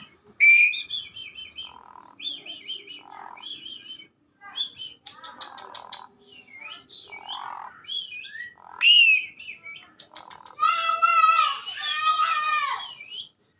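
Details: Energetic singing from an Asian pied starling: a jumble of whistled slurs, nasal notes and harsh buzzy chatter, ending in a rapid, dense burst of rattling, squeaky phrases.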